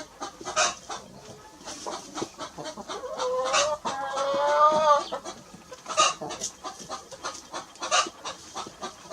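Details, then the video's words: Little red rooster and hen grazing on a lawn: a drawn-out harmonic crow rises and holds near its middle, set among short, sharp clucks and scattered chirps before and after. "Little red rooster and hen clucking"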